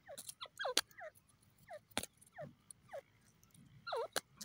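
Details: Teetar or grey francolin calling with a quick run of falling and rising notes, several bursts over a few seconds, mixed with sharp clicking knocks.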